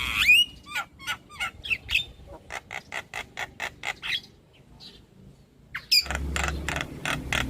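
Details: Lure song of the black-winged myna, used as therapy for stressed birds that have stopped singing: harsh squawks, then an evenly spaced series of rasping notes, a pause, and a loud burst of grating calls with low hum.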